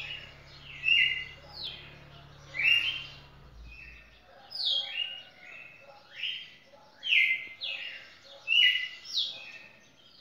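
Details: Champion red-cowled cardinal singing a long song that lasts more than two minutes: rich, slurred whistled phrases, each rising or falling, given in clusters about every one to two seconds, with a faint low hum early on.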